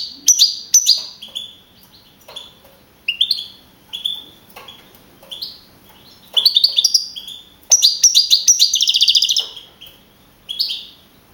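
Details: Young male European goldfinch, champion of a 2012 singing contest in Navalcarnero, Madrid region, Spain, scoring 42 points; short bright twittering phrases with pauses, then a rapid buzzy trilled burst near the end.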